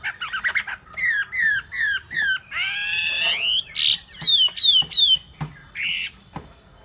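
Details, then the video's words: Loud Hwamei song of rich varied phrases: repeated rising whistles, a long buzzy slurred note, then clear descending whistles given three times in a row, with short pauses between. "họa mi"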